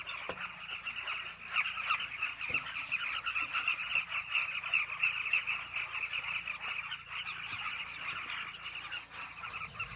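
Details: At a Zambezi River bank nesting colony in Zambia, Southern carmine bee-eaters return to their burrows, producing a continuous busy chatter of rolling calls from numerous birds, with occasional sharp clicks and knocks mixed in.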